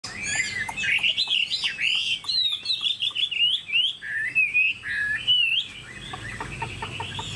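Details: Tame caged Chinese hwamei singing a rich, rapid run of whistled, slurred phrases that swoop up and down, with sharp clicks mixed between notes and a steady faint background hum.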